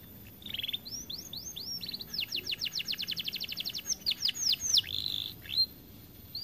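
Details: Singing canary, said to be reluctant to sing from being too fat, gives upswept whistles leading into a rapid, even trill of sharp notes before closing with a few slurred chirps.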